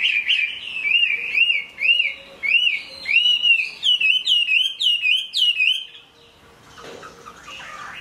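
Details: Chinese hwamei singing in rain, repeating looping whistled notes almost twice a second, climbing into faster rising flourishes, then stopping as a soft rushing hiss takes over.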